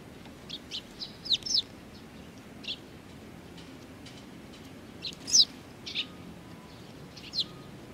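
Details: Chirping from young Eurasian tree sparrows on 19 June 2019: brief high notes come singly and in pairs at irregular gaps, with one louder double chirp partway through, over quiet background hiss.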